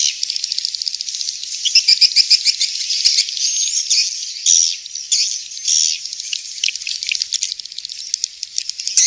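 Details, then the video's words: Continuous high twittering and rattling from a swiftlet, with short squeaky notes and brief louder chirps scattered through an unbroken chatter. "Suara Walet King'S Star"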